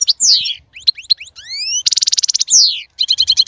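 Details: European goldfinch song for prompting a female to mate: falling and rising slurred whistles, a buzzy rattling trill, a descending sweep and closing quick twitters, all high-pitched and rapid.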